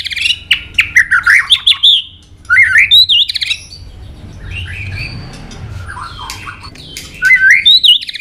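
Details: White-rumped shama in fighting song, bursts of loud twisting whistles and harsh chatter separated by quieter gaps with faint scratchy notes.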